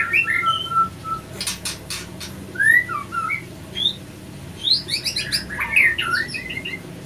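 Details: Male and female white-rumped shama attacking each other after an unsuccessful pairing; long whistled notes, then sharp clicks, then a dense burst of squeaky chirps and slurs near the end.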